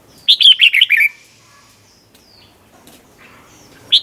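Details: Bright, bouncing phrase of about six quick warbled notes from a Red-whiskered bulbul, doubled 'เบิ้ล' song meant for training young birds, then near silence before the next phrase begins.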